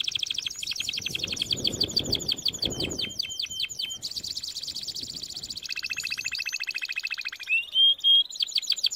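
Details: Canary song for training: a fast high trill, a switch to a buzzier rolled phrase, then a lower rattling roll and a few pure rising whistles at the close.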